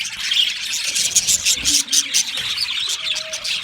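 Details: Australian budgie birds chirping in a thick, lively warble of high twittering notes, with brief squeaky whistles and a short low hum near the middle.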